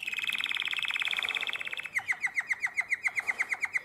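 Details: Nightingale-voiced canary, Drama, 2017, delivers a fast, even, buzzy rolling trill for almost two seconds, then switches to slower, clipped notes falling sharply in pitch, about four each second.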